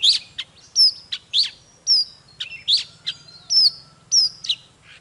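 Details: Oriental magpie-robin song used to fire up other magpie-robins into intense singing: separate clear whistled notes and sharp downslurs, some with high overtones, repeated roughly twice a second with short silent gaps and a faint low hum beneath.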